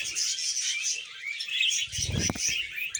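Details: Pet budgerigars warbling during a vegetable meal: unbroken high chatter and squeaky trills, then a cluster of low thumping and crunching sounds near the end.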